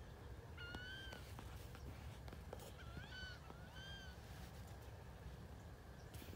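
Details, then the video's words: Wood ducks from 2018 repeat a squealing whistle three times, about once a second: each note slides up and then drops, bright with overtones. Sharp clicks come between the notes, over a deep rumble. "Wood ducks whistle"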